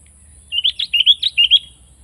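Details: Sooty-headed bulbul delivers a clear, loud burst of eight quick liquid notes. The notes are slurred up and down in a bouncing, chattering rhythm lasting just over one second, with a quiet background.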